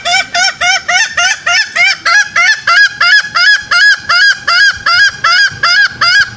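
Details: Green junglefowl lure call, used in the forest to draw wild males out toward snares: a fast, steady series of short, harmonic, nasal notes, each rising then falling slightly, about three per second without pause.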